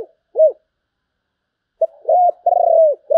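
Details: A spotted dove's 'sấm bầu' style song. One arched low coo is followed by a long pause. A short note, a clipped coo and a drawn-out, throbbing coo that falls away at the end come next. The background is quiet.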